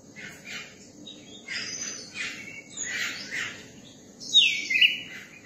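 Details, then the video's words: Young Oriental magpie-robin, tame around people, singing in a run of short chirpy, buzzy phrases, ending in a louder clear whistled swoop. Steady low background hiss. "tiếng chim chòe than bổi hót và dạng người"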